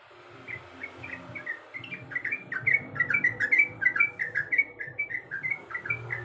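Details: A female sooty-headed bulbul calls for the male, starting softly and building into quick, bright chirping phrases of slurred notes, about two to three per second, over faint low noise.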